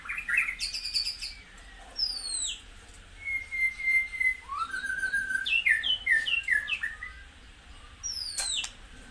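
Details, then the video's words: White-rumped shama song used to excite caged birds: high falling slurs, a long steady whistle, then a rising whistle and a quick series of bright falling notes. "tiếng chích chòe lửa hót dùng kích chim căng lửa hiệu quả"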